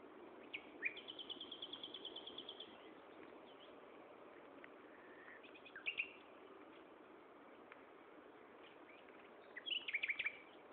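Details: Common nightingale singing at Gaasperzoom on 16 May 2012, 15:30: a rapid high trill of evenly repeated notes, then pauses broken by short bursts of sharp chirps and a closing loud twittering phrase.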